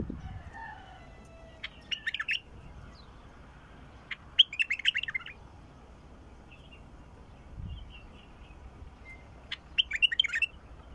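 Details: Wild bulbul singing three separate short phrases of rich, bubbling whistles with pauses of about two seconds and more between them, in a fairly quiet setting.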